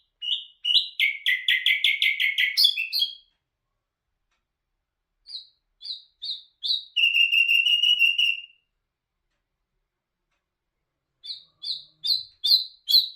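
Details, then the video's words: A Common Nightingale sings three separate phrases: a fast run of rapid repeated notes, a few clipped notes leading into a steady rattling trill, then a spaced series of sharp high notes. "Bul bul hazar dastan singing toons"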